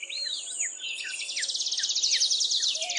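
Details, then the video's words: Adelaide's warbler singing in a dawn chorus alongside several other bird species: dense, rapid, buzzy high trills running continuously, with scattered short slurred whistles and a few lower tonal notes from other birds. "se pudo Escuchar distintas especies de aves cantando Pero entre ellas muchas canciones de la reinita mariposera"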